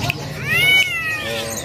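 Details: Srigunting Jawa (drongo), caged bird for sale at Pramuka bird market, East Jakarta, hand-reared, in moult, gives a single drawn-out cat-like meow rising, holding and falling over about a second; faint voices and market noise.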